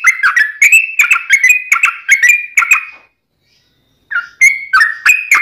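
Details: Long ngelituk song of a yellow-vented bulbul, used to train birds and lure wild ones: about three seconds of rapid, chattering whistles, a brief silence, then the phrases resume.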